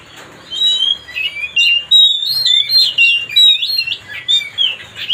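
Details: Provocation song of a white-rumped shama (kacer), meant to rouse another bird: fluid run of loud rising and falling whistles and warbled notes, briefly pausing midway, with a low background hum.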